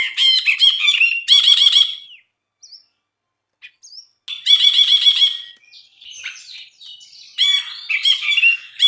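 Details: Brinji (bulbul) in gacor masteran song: two bouts of loud buzzy rapid trills separated by quiet squeaky notes and a pause, then softer rambling twitters and more harsh chatter.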